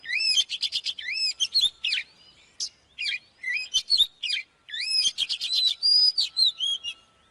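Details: Oriental magpie-robin song used for training birds to sing: loud, varied whistled phrases with rising and falling slurred notes and rapid sharp chips in bursts, pausing briefly between groups.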